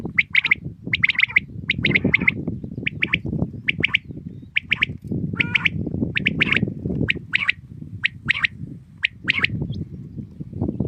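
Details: A common quail in the morning gives repeated clipped two- and three-note calls at a steady pace, with constant low background noise underneath.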